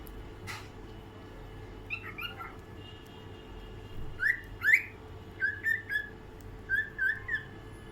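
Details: A pet albino cockatiel whistles a song of short, clear upslurred notes in quick pairs and runs.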